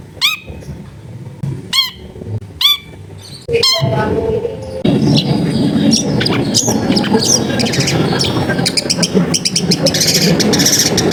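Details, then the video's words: Long-tailed shrike in sharp 'tembakan' song, a lure for shrikes gone quiet, recorded at home amid dense housing; three ringing, arched notes about a second apart, then a dense, scratchy jumble of chatter over rising background noise. "CENDET GACOR FULL TEMBAKAN TAJAM COCOK BUAT PANCINGAN CENDET MACET BUNYI"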